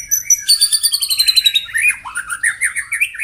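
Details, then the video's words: White-rumped shama in the morning, singing to stir up rivals: a rapid string of high repeated chips, then a series of burry, swooping notes, each repeated several times per second. "PAGI HARI! 100% AMPUH MENAIKAN EMOSI LAWAN AGAR GACOR & BONGKAR ISIAN ( TEMBAKAN MURAI BATU )"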